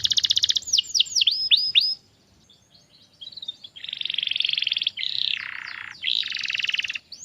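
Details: Canary song played to teach canaries to sing: brief trill and swooping whistled notes, a short pause with faint chatter, then long buzzy rolling trills with a lower throaty segment.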